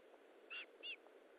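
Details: Two soft, short whistled notes about a third of a second apart from an Osprey at its nest during feeding, 19 July 2012 at 9:43, fairly faint over background hiss.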